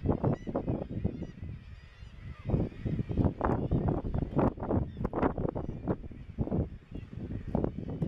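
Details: Razorbills at Bempton Cliffs RSPB, East Yorkshire, 21 May 2017: deep, grunting, growling calls from several birds, rapid and overlapping, with bursts at irregular intervals.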